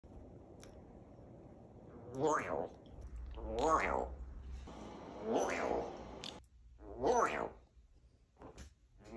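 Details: Pet African grey parrot repeating the word "Wario": four drawn-out, voice-like utterances spaced about one and a half seconds apart, each rising and then falling, over a low indoor hum.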